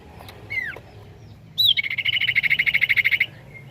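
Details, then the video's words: Common iora song played to provoke other ioras to answer: a falling whistled note, then a rising whistle followed by a fast even trill of about 20 pulses over one and a half seconds, against a low background hum. "Burung Cipoh Pasti nyaut dengar ini!"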